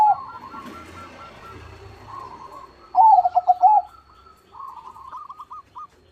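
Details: Zebra dove singing eagerly. Quiet, stuttering coos come first, then a loud burst of rolling, pulsed cooing near the middle. Softer coo series follow, over faint background murmur.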